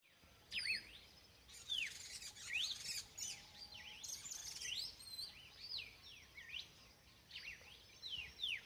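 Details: Red-cowled cardinal singing outdoors: a lively run of high, sweeping whistled notes, rising and falling slurs repeated continuously, with faint steady background noise.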